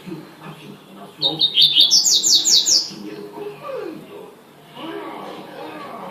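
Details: Double-collared seedeater singing one bright phrase of quick, high chips that accelerate into a sweeping trill, followed by faint low background sounds.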